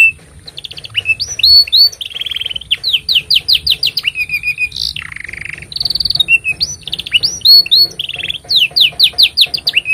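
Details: Canary performing long song as a master recording for young and silent canaries; varied buzzy rolls, rapid rattling trills, sweeping whistles and a low churring phrase, continuous and loud for ten seconds.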